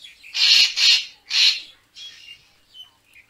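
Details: A Racket-tailed Treepie gives three loud, harsh, rasping notes in quick succession, then a few softer grating calls trail off; recording used to lure birds for photography.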